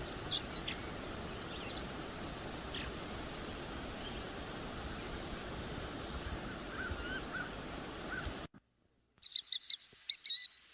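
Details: Killdeer alarm calls, given when someone is near chicks or a nest: a few faint high notes over a steady insect drone, then a burst of shrill, frantic, rapidly repeated notes at the end.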